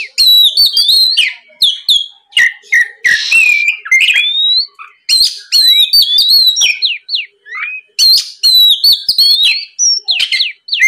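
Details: Oriental magpie-robin pouring out a dense, varied lure song in loud continuous 'gacor' style, intended to get untrained kacer singing; rapid whistled slurs, trills and scratchy notes with only brief gaps.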